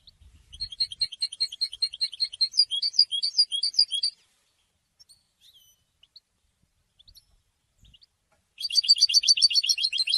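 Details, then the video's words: European goldfinch singing, recorded for education: a long phrase of rapid, high, tinkling notes repeated evenly, then a quiet pause of several seconds, then a denser, buzzier burst at the end. "super goldfinch singing"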